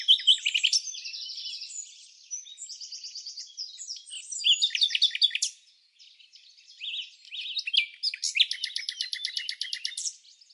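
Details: Red-backed fairy-wrens, non-breeding season, Samsonvale, Australia: very high reeling trills and chattering bursts, repeated phrases separated by short pauses, ending in a dense rattling trill; nothing else audible.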